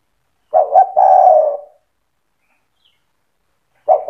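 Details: Spotted dove 'cetretan' song meant to make other doves sing along: one low phrase of two short coos and a long purring note, then the next phrase beginning after a quiet gap.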